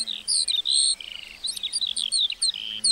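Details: Meadow lark song, varied and hurried: high whistled sweeps, a short buzzy trill and sharp upward flicks crowded into quick succession.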